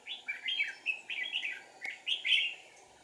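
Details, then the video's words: Deep-forest trapping of red-whiskered bulbuls on 1 April 2019, a wild bird fiercely scolding the decoy: a near-continuous, rich, warbled chatter of slurred rising and falling notes, ending in one louder bright phrase, with a faint hum behind. "Bẫy chào mào Rừng sâu bổi cực dữ ché nẹt mồi"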